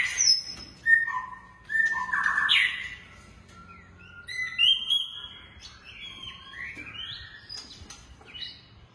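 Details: Captive-bred long-tailed white-rumped shama giving spaced whistled phrases and slurred, rising notes with pauses between bursts, over a steady low hum.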